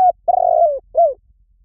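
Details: Part of a spotted dove's lure call: a clipped coo, then a long, rough, gently falling coo and a short arched note dropping in pitch. Clean and close.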